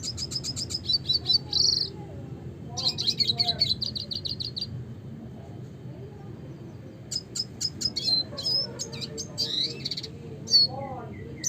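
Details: Red siskin song in classic style, fast high trills and buzzy rattles in two long bursts, then scattered sharp twitters and whistled notes, with faint low background noise.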